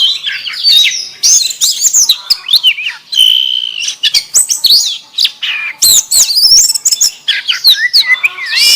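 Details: Canary-phrased song of an oriental magpie-robin: a rich, varied run of high whistles, rising and falling slurs and quick twittering notes, with a steady held whistle in the middle and a brief pause before more bursts.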